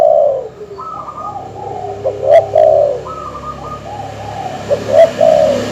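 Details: Recording of a dove calling to provoke rivals: a series of low, hollow coos in short phrases, each pair swelling and fading, alternating with thinner, higher, level tones.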